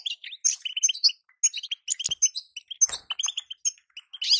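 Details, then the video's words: Call of a female European goldfinch meant to make a moulting male sing: bursts of sharp, high twittering notes in uneven clusters, a faint tap and a buzzier scratchy ending. "بتبته انثى لتسريع الغناء عند الحسون وهو في غيار الريش | بتبته انثى تخلي الحسون يغرد غصب عنو"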